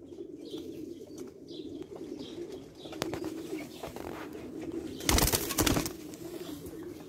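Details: Iranian breed Tabrizi Agharan pigeons keep up a low, steady cooing murmur, with a few faint higher chirps early on and a loud broad rustling burst near the end.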